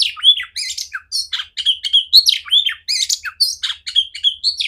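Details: Female oriental magpie-robin with a big, clear voice, played as training for other magpie-robins: a fast, varied run of whistled notes and sliding rising and falling phrases, broken by harsh chattering bursts, with hardly any pause between phrases.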